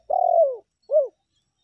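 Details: Spotted dove lure call, local tekukur meratus and melambung styles: one long, steady coo that slides downward at its end, followed after a short pause by a brief arched note.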